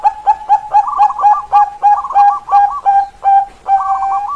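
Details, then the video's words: Song of a Bangkok-type zebra dove, 'keok kok kok kok', meant to stir lazy doves to sing. Steady soft coos repeat about three per second, with rolling higher phrases woven in between. "Perkutut Bangkok keok kok kok kok cocok buat pancingan perkutut malas bunyi"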